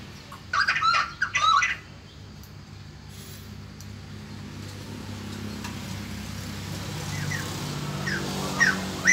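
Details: White-crested laughingthrush giving its morning song: a loud, brief burst of harsh, chattering notes early on, then a few faint short calls, over a steady low hum.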